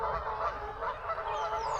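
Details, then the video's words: A distant flock of Canada geese by the flooded River Trent near Rugeley in February, honking noisily in a steady overlapping chorus of nasal honks with no clear gaps between calls. "And you can hear lots of geese."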